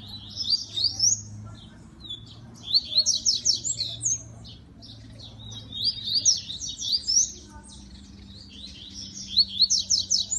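A rusty-collared seedeater sings high, rapid twittering phrases of slurred and buzzy notes, each about a second long, repeated every two to three seconds over a faint low hum.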